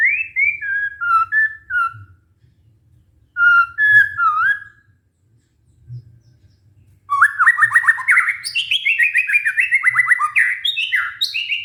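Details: White-rumped shama lure song for a stressed bird that stopped singing: slow sliding whistled phrases dropping in pitch, a pause, then a long fast sequence of rapid downslurred notes climbing into higher varied whistles.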